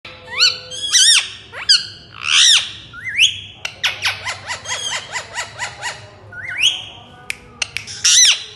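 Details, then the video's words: Pet Indian ringneck parakeets giving a busy run of harmonic squawks and arched chirps, some rising, some falling, with quick clicks between, loud and close in a quiet room. "indian ringneck parrots as pets"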